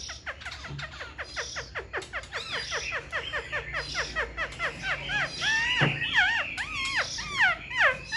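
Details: Caged Black-throated laughingthrush singing a dense, rapid stream of short downward-sweeping whistles, shifting to rising and wavering whistled phrases in the last few seconds, with a single sharp click midway.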